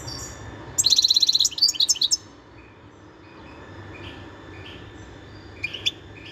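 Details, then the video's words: Wild European goldfinch singing, recorded in 2021: a quick burst of bright, tinkling twittered notes lasting over a second, followed by a few softer chirps and two sharp high notes near the end against a faint background hiss. "تغريد الحسون البري"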